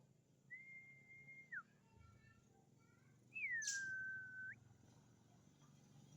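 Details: White-rumped shama, described as a champion bird, gives two long clear whistles: a level note that drops at its end, then a downward sweep settling into a long steady tone that lifts sharply at the finish. Quiet low background hum.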